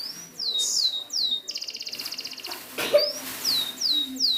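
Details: Canary singing for a training recording meant for canaries that won't sing: high down-slurred notes, a fast buzzy rattle, then separate sweeping whistles again.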